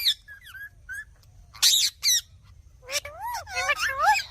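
A hand-fed sun conure begs with harsh squawks and wavering, rising-and-falling nasal cries.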